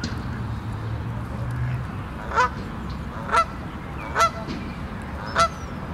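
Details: Goose in Central Park, near its goslings and anxious over other geese elsewhere on the lake, gives four short honks about one second apart after a low rumble of background noise.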